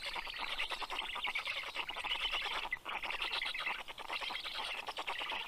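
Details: Black stork nest in southern Estonia's Karula National Park, filmed by nest camera at 8:09 pm, 11 June 2023, while the male feeds the storklets fish. Steady wheezy, rattling noise with quick pulses and a brief dip midway.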